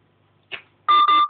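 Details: Caged pet African grey parrot at home imitating a telephone: a short breathy note, then two steady electronic-sounding beeps with a brief gap, over a faint room hum.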